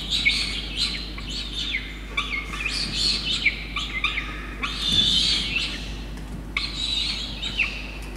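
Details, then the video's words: Peregrine falcon chick begging during a feed of a soaked starling from its soaked parents at Orange, New South Wales, Australia, 5 November 2021; busy series of shrill squeals and short chirping notes, uneven, several per second. "Peregrine Falcons Orange, Soaked Starling by Soaked Parents for bottomless Yurruga"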